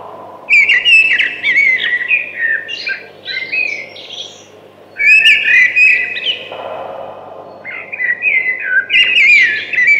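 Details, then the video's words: The thrush sings three separate phrases of clear, varied whistles and trills, spaced a few seconds apart; faint background hum. "Beautiful Thrush Singing."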